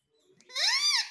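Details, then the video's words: Pet parrot, said to say 'Mummy' and 'Papa', indoors: a single drawn-out, harmonic, slightly arching vocal note rising out of quiet. "Parrot Sound _ Mummy Mummy Bolne Wala Parrot _ Parrot Speaking Papa"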